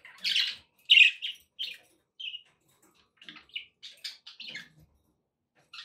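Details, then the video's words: Budgerigars give loud squawky chirps at first, then a run of softer, rapid, twittering notes with little pauses. "budgie sounds to encourage your parrot to eat and sing"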